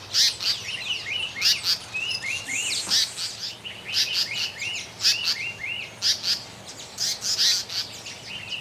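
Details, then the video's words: African paradise flycatcher, breeding at a campsite at Etosha, sings quick, high, rising-and-falling chirped phrases with sharp high ticks and buzzy notes mixed through, over a quiet background. "African Paradise Flycatcher"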